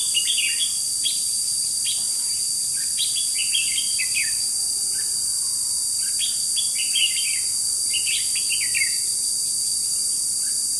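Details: Caged decoy red-whiskered bulbul used to trap wild birds, 21 July 2016: repeated clusters of lively warbled notes arriving every second or two, over an ever-present high, buzzing insect chorus.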